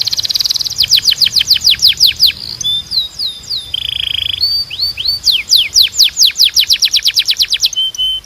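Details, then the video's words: Belgian canary singing: fast runs of steep descending sweeps, a steady mid-pitched buzzy trill, sliding upward whistles, then more rapid downward-swept trills. "Your Belgian Canary Might Sing NON-STOP After This"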